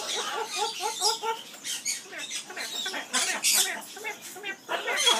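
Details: Pet Amazon parrot singing its skimmeradinkadinkadink song in an aviary: a run of short, rising and falling harmonic notes, nasal and voice-like, in quick uneven bursts with breathy, hissy sounds between them.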